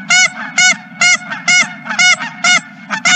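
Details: Many geese recorded at a ranch on 31 March 2023, giving loud, rapid, bright honks about twice a second, evenly spaced, with a constant low hum underneath.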